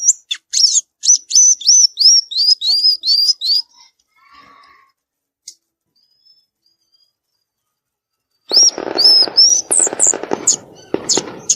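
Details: Violaceous euphonia singing in the wild: a fast run of high, clear, slightly upslurred notes, about three per second, then a pause and a renewed burst of high notes over a harsh, broadband rasping passage.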